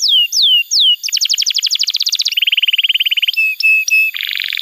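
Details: Canary in song, played for training young birds and for therapy of canaries that have stopped singing: falling whistles, a fast high trill, a lower rolling trill, spaced whistles, then a raspy buzz.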